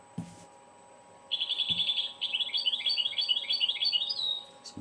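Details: European goldfinch song described as local heritage singing, said to be found only in the speaker's city; a fast, tinkling twittered phrase of rapid high notes lasting about three seconds, with brief knocks and a steady electrical hum.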